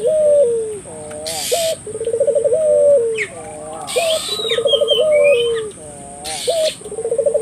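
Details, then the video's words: Turtle dove in full voice, meant to get nearby local doves calling: steady cycles of low, wavering coos ending in a rapid bubbling roll and a sustained falling tone, with bursts of hissing and faint higher chirps. "suara burung puter gacor,merangsang buru puter lokal ikut gacor"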